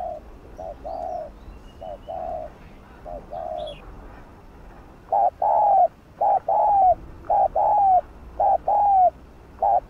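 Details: Spotted dove giving the gù (bo) coo used to stir lure and wild doves into calling. Short mellow coos, soft at first and then louder, come in quick paired bursts with brief gaps between them. A faint higher chirp is heard early on.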